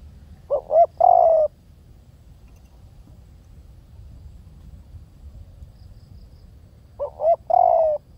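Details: Two spotted dove phrases roughly six seconds apart, with low rumbling background noise between them. Each phrase holds two quick swelling hoots and then a longer drawn coo.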